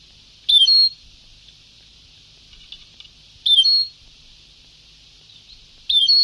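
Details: Old Ceuta-style (sabtawi) recording of a European goldfinch: short, bright twittering phrases with a buzzy slur, repeated roughly every three seconds, separated by hiss-filled silences.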